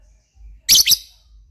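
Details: Lovebird in lively, vigorous voice giving two sharp, harsh high-pitched chirps in quick succession, the first louder, with quiet background.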